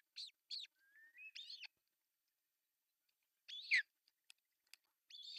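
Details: Osprey at a nest in Pohjois Satakunta, Finland, in June 2024, with the male bringing breakfast fish; two quick chirps, a thin rising whistle, a chirp burst, a pause with clicks, then more chirps.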